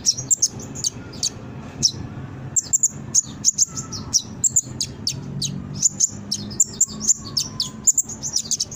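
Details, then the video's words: Brown-throated sunbird song used as a lure to get young birds responding and singing; high thin chirps and short twittering notes in irregular bursts, with faint lower background hum. "Suara Konin gacor pancingan burung bahan cepat respon dan bunyi"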